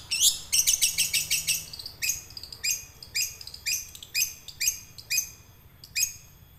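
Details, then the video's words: Young wild long-tailed shrike singing, used to prompt silent caged birds to sing; a rapid burst of scratchy downswept notes, then steadier harsh chips spaced roughly half a second apart. "Cendet ngerol buat pancingan burung cendet macet"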